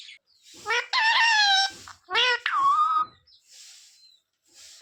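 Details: A parrot speaking learned words such as sita-ram and jay shree ram; raspy, nasal two-part utterances, the second ending in a drawn-out falling tone, then near silence.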